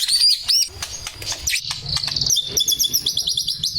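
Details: Male white-rumped shama singing: bright high whistles and sharp upslurred notes at first, then a fast chattering run of rapid high twittering, over a steady low background rumble.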